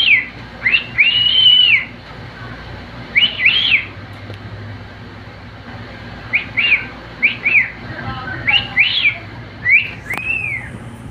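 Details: Pet cockatiel, male, singing: a run of short arched whistles in loose clusters, some doubled, with gaps between groups and a brief click near the end.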